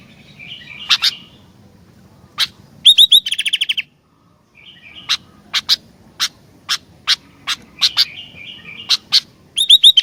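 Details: Sooty-headed bulbul in energetic song, with chattery mid-pitched phrases, a rapid buzzy rattle of evenly repeated pulses, a brief silence, then a steady series of sharp clicks between more chattering bursts.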